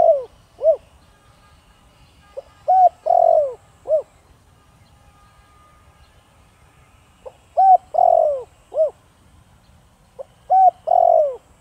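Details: Spotted dove, 'thổ đồng' voice type, cooing to lure wild doves; three phrases spaced several seconds apart, each of short soft coos followed by a longer, downward-sliding hollow coo, in near silence.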